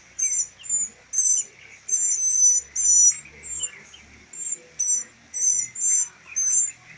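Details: Three rescued baby northern mockingbirds, being hand-reared for release, give very high, thin, squeaky begging calls together in short bursts, roughly twice a second, over a faint background murmur.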